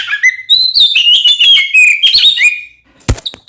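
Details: Oriental magpie-robin, aggressive song used as a provocation for other magpie-robins; quick run of whistled, slurred notes for about two and a half seconds, followed by a dull thump and a faint closing whistle.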